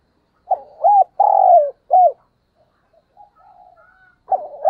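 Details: Spotted dove used as a decoy, calling at morning time: one phrase of hollow coos, with short arched notes around a longer sliding coo, a quiet gap with faint distant sounds, then another phrase begins.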